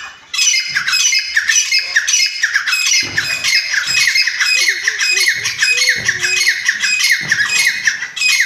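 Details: Grey francolin (chitta teetar) kept for breeding at home: loud, harsh, rapidly repeated notes in a dense, continuous chorus of calling through the whole stretch. Some faint lower sounds can also be heard.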